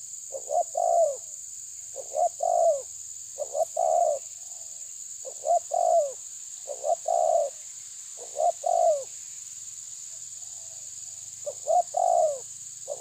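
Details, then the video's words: Terkukur tabir spotted dove repeatedly challenging a rival, giving about eight regular coo phrases over thirteen seconds. Each is a broken double note plus a falling coo, and a constant high hiss runs behind. "Terkukur menekan lawan bikin emosi ~TERKUKUR TABIR"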